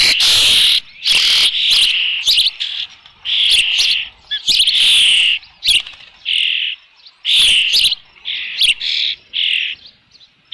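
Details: Osprey at its nest with a fish, nest camera recording of 3 June 2018 near 5 PM; loud, harsh high whistles and chirps tumbling rapidly, very close and intense.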